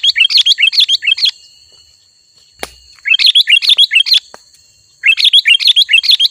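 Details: Sooty-headed bulbul in full chattering song: three rapid runs of bright, bubbling notes, each lasting over a second, with short silences between and a faint steady ringing tone behind.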